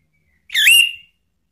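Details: Male orange-headed thrush, ngeplong style, played as a lure and singing therapy: a single short, loud whistled note that dips and then rises before trailing off, set against silence.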